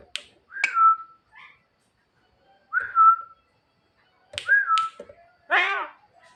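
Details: Javan myna singing energetically at night, calling its female mate: slurred whistles falling to a steady tone, repeated about every two seconds, with sharp clicks and a harsh, rasping burst near the end.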